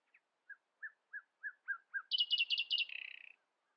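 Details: Common nightingale singing early in the day to stay louder than rivals: a slow series of about seven short, evenly spaced piping notes, then a loud, quick rattle fading into a buzzy trill.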